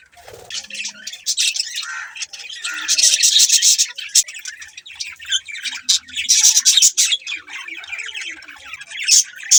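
Budgerigars keep up a busy, scratchy chatter of high chirps and warbles, several birds overlapping in steady bursts with a few squawky notes.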